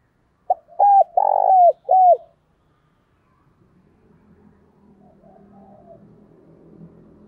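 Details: Spotted dove used as a decoy, cooing a lure call to excite wild doves: one phrase of four notes, with a short lead note and a long central coo, followed by faint low background noise.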